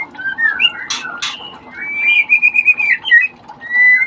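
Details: Shama chicks during ringing give a sustained warbling whistle that wavers and trills, with short rising notes before and after, plus two loud handling clicks near the start.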